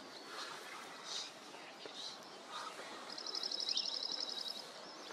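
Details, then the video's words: Dark-eyed junco, a North American bird, singing in a small coastal garden at Rattray Head, Aberdeenshire, on a May morning in 2023; one fast, dry trill of even notes on a single high pitch lasting about a second and a half. "Dark-eyed Junco - (singing)"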